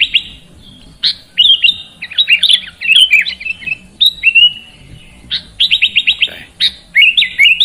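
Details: Sooty-headed bulbul (kutilang) singing in a recording meant to coax a lazy bird to sing; scattered phrases of slurred whistles and quick chirp runs with quiet pauses between.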